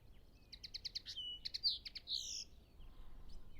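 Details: European pied flycatcher at its nest, recorded during the two weeks it fed two young. Song is a quick run of high, clear repeated notes, a short pause, then more notes and a slurred descending phrase. Other birds call faintly in the distance.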